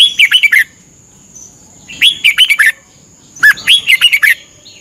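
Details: Thai cage-kept Red-whiskered bulbul, recorded as a daily morning training song. Three crisp phrases of fast, chattering whistled notes about 1.5 seconds apart, with a continuous high-pitched whine in the background.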